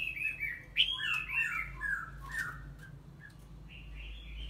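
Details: Female red-whiskered bulbul, three seasons old, singing energetically to stimulate a male; quiet warbled phrases slurring around the mid range, rising and falling in quick linked notes with a brief sharp upward note, against low background hum.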